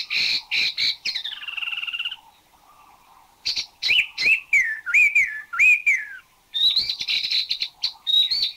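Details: Spot-throated babbler showing a varied vocabulary: rapid chattering notes, a buzzy held note, then slurred falling and rising whistles, more chatter at the end; recorded in a Thai national park (Khao Yai, Doi Intanon, Doi Suthep-Pui or Chae Son).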